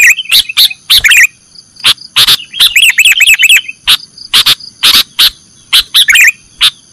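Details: Sooty-headed bulbul (kutilang) in the nggaruda style, recorded as a training track for caged birds: loud, clipped chirps and short bursts of rapid warbled notes, with a steady high-pitched tonal hum behind them.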